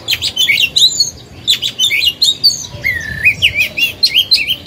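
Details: Oriental magpie-robin kept caged as a lure bird, singing to stir rival birds to sing and to train young ones; bright, varied whistled phrases, then a series of rising-and-falling slurred notes repeated in quick succession.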